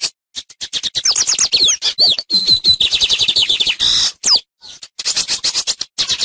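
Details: Lined seedeater (tucero) teaching song: a rapid, high-pitched jumble of dry clicks, buzzy trills and quick rising and falling whistled slurs, delivered in short bursts with brief pauses between phrases.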